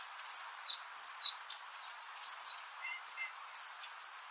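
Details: A White-throated Dipper, an early breeder, sings in winter beside a clear mountain stream: a slow, subdued run of high twittering, scratchy and squeezed notes, about three or four per second, over a steady hiss of rushing water.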